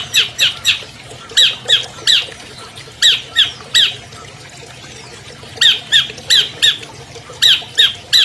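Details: Albino long-tailed shrike, a prize-winning captive bird, used as a master recording to prompt silent shrikes to sing: bursts of short harsh, squawky notes in quick runs of three to five, with pauses between runs.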